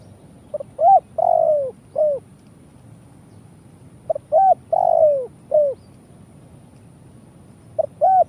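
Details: Spotted dove lure call for trapping: phrases of four to five mellow coos, short notes, a hooked note and one long falling coo, repeated roughly every three to four seconds over a quiet low hum.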